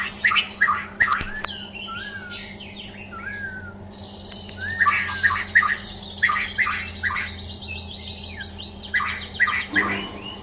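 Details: ['White-rumped shama, a champion bird, gives short rising whistled notes in loose bursts, broken by harsh noisy rasps and a few higher chirps, with a constant low hum underneath.']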